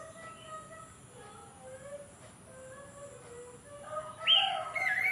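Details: Horsfield's babbler calling in the morning during rain: a series of clear, low whistled notes, some sliding down, followed near the end by a louder, higher burst of rising notes over steady background hiss.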